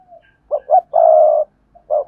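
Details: Lure spotted dove giving double-voiced hai hậu cooing to draw in other doves: two quick low coos, then a long sustained coo, with another coo beginning at the end.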